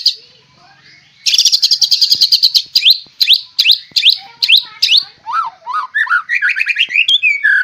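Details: White-rumped shama, a caged fighter bird with a rich song repertoire, bursting into a fast rattle, then sharp descending notes, then a run of varied rising and falling whistles.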